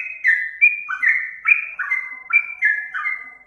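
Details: Singing yellow-vented bulbul, played to lure birds: a string of liquid whistled notes, each starting low and jumping higher, repeated at a bouncy pace of a little over one phrase per second, no background noise.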